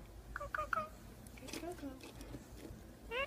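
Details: Indian ringneck parakeet kept as a pet, talking in a small room: three quick clipped syllables, then softer murmured word-like sounds and a final rising squeaky note, with faint background hum.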